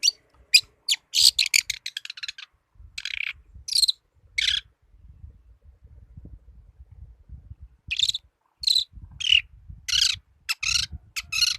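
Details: Young long-tailed shrike singing actively, delivering scratchy, harsh high-pitched bursts in uneven clusters, a lively run of notes, a pause near the middle, then another burst of rapid notes, over faint low rumbling.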